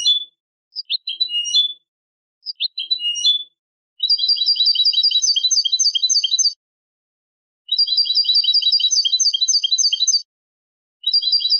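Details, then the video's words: Hybrid European goldfinch singing to teach young birds: a few loose chirps, then long, very rapid rattling trills lasting about two and a half seconds each, separated by brief silences. "تغريد هجين الحسون لتعليم الفراخ"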